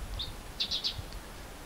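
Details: Blue-tailed bee-eater (Merops philippinus) filmed in habitat at Bued River, La Union, Philippines, on November 14, 2021, with a shotgun microphone: one short high chirp, then three quick rolling chirps close together, over a faint low background rumble.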